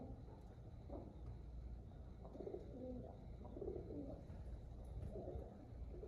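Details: Pigeons, described as happy, give soft low cooing notes in short murmuring phrases against a steady background hum, with faint clicks scattered throughout.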